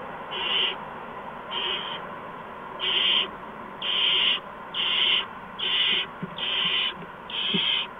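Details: Owls at a nest during evening food deliveries of mice and a gopher to the owlets, March 13, 2015. Eight loud, breathy hissing screeches come at a steady pace, about one per second, with faint clicks between.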